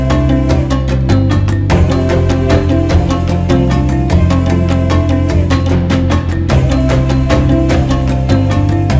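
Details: Lively Latin-style music with steady bass, piano and percussion plays throughout, with no animal voices.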